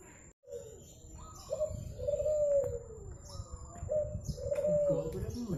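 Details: Madura-native zebra dove song: melodious low cooing, each phrase a brief rising note leading into a drawn-out falling coo, two phrases heard, with faint rustling and low rumble behind.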